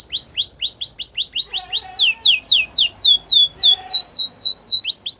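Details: Song of a Belgian singing canary meant to win over other canaries: an unbroken chain of loud downslurred whistled notes, about four each second, sliding gradually higher and then back down.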